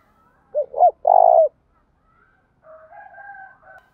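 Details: Spotted dove cooing, offered as a decoy call: two short rising notes, then a longer sustained mid-pitched coo. Softer, thin whistled notes from other birds follow after a pause.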